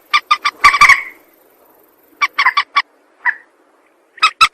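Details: Rail call for luring birds into traps, sparse groups of three or four short, sharp notes with long quiet gaps between them, plus one brief, falling slurred note.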